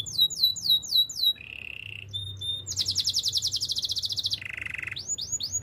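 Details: Canary delivering Spanish Timbrado training song: descending whistles, a flat metallic tone, then a long rapid rattling trill and a lower buzzy roll before rising whistles return; soft background hum.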